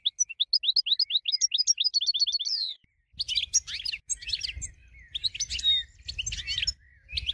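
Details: Winner goldfinch singing as a training example: a long, rapid series of rising whistled notes forming a liquid trill, then a short pause and a busy stretch of harsh, jumbled twittering and chatter.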